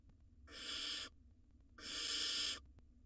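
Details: Two wild barn owl nestlings in a nest box swallowing rodents together. Loud, long, harsh screeching hisses, two drawn-out rasping bursts in quick succession, the second longer, with quiet low hum between them.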